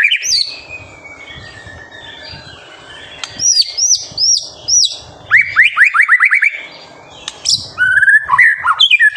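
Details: White-rumped shama in full, active song, used as a master recording to stir young birds into singing: a long thin whistle, then rapid chains of sharp downslurred notes, bursts of rising chirps, and varied fluty and scratchy phrases with short pauses.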